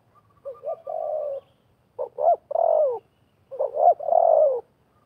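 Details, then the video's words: Spotted dove coos from a wild bird competing with a decoy during trapping. Three phrases, each a short stuttering note or two followed by a long, slightly falling hoot, spaced about a second apart. "TERKUKUR LIAR DAN PIKAT BERADU/BERLAGA HEBAT"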